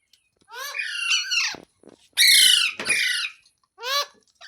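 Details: Green parrot producing a run of nasal, strained calls and louder harsh squawks, with a brief clicking sound between, then one final shorter squawk.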